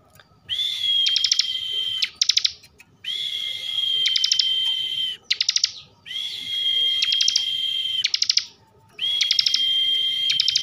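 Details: Steady 'bren' singing by a caged bar-winged prinia from Slawi, Tegal, Central Java: four long even whistled notes, each broken by bursts of sharp rapid clicks, repeated roughly every two and a half seconds.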